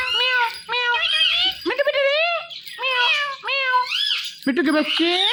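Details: Pet Indian ringneck parakeet talking, giving a run of high, nasal meow-like mimicked words with strongly bending harmonic notes in quick irregular bursts, with short pauses between phrases.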